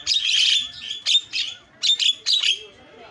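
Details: Starling song used as a lure to provoke silent starlings into chattering: dense, harsh, scratchy chatter broken into short bursts with bright whistled notes, fading into quieter gaps.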